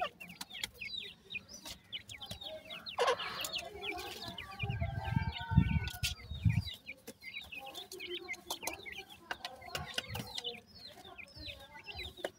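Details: Feeding time for five grey francolin chicks with their mother: continuous thin, high cheeping, irregular and crowded, over a muffled low rumble of movement and handling.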